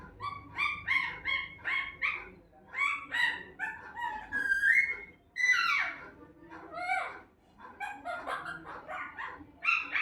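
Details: Pet parrot talking in a home, uttering a run of clear speech-like phrases with short syllables in bursts of two to four, some rising and falling in tone, separated by brief pauses.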